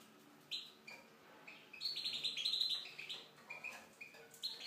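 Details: Aviary goldfinch of Tunisian stock sings a fast, tinkling twitter, broken notes building into a dense run of high chirps around the middle, then trailing off into scattered sharp tweets.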